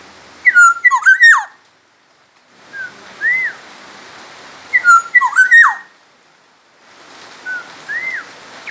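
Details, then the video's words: A Black-naped oriole from Sumbawa repeats its loud liquid whistled phrase twice, about four seconds apart, each followed by a softer arching whistle, with steady background hiss. "suara burung kepodang emas gacor asli sumbawa"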